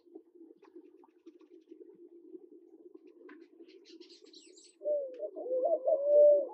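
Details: Several seconds of low humming background with faint chips, then a Namaqua dove in Kenya starts a soft rising hoo that builds into a louder, wavering sustained note at the end.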